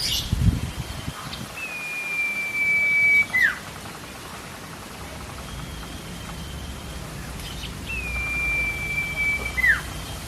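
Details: Cipo, the common iora, singing steadily as a lure for young captive songbirds: two prolonged flat whistles, each ending in a short falling note, about six seconds apart, with faint higher notes and soft background noise.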